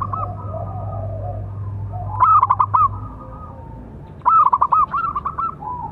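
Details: Local zebra dove with an outstanding big voice, its calling song used to train and provoke other doves; two loud stuttered coo phrases each ending in a rolling trill, with quieter doves and low hum in the background.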